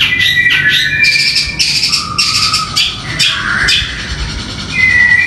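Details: A long-tailed shrike sings a loud, busy medley of chattering, scratchy notes and sharp whistles, a full repertoire said to be filled with imitations of the tengkek buto.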